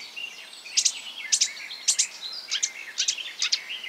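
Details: Marsh warbler imitating other birds: spaced pairs of high sharp notes with a thin buzzy undertone, repeated about twice per second over light background hiss.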